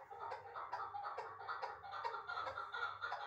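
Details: Chukar partridge from Uzbekistan, last year's young, caught and kept in Dushanbe, producing moderately loud, irregular gravelly chuk notes a little over twice a second, over a low background hum.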